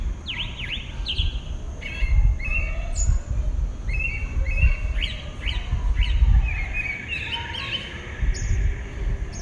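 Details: Pale-breasted thrush, a single individual singing at dawn in southeastern Brazil: varied whistled phrases of rising and falling slurred notes, some steady and trilled, delivered in quick succession over a low rumbling background hum and faint high insect-like hiss.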